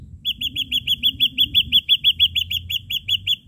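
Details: Ashy drongo in full voice, sharp-note lure song: a fast, even string of about eighteen short clipped notes at roughly five per second. A faint low hum sits underneath.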